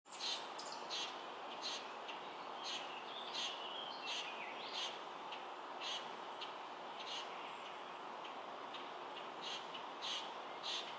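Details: A juvenile Common Grackle begging for food in Kalamazoo, Michigan, on June 15, 2018, gives harsh, raspy begging calls roughly every second over a steady outdoor background hiss.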